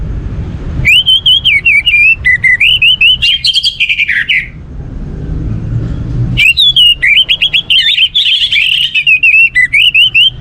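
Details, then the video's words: Song of an orange-headed thrush used as a lure to get other birds singing, two long bursts of varied whistles, slurred and warbling, with chattering high notes, separated by a quiet pause of about two seconds. "Setiap kali putar sekali Pancingan Burung Anis Merah ini untuk merangsang burung lain jadi gacor"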